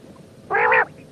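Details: One harsh, buzzy, strongly harmonic note from a female quail, lasting about a third of a second.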